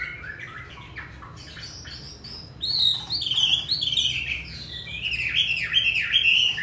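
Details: Hwamei in a cage in Hanoi, Vietnam, singing in the 'giọng rừng' wild style: soft scattered notes, then a sudden loud stream of rapid whistled phrases and bouncing slurs that continues to the end.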